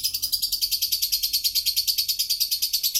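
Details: Lovebird giving its ngekek, a long continuous chatter: a rapid, unbroken stream of high, shrill, buzzy notes, about six to eight per second, slightly wavering in pitch across three seconds, with no other sounds.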